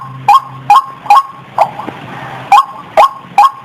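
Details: Sharp rising croaks of a white-breasted waterhen in an uneven run, with a pause in the middle broken by softer notes and a low background hum.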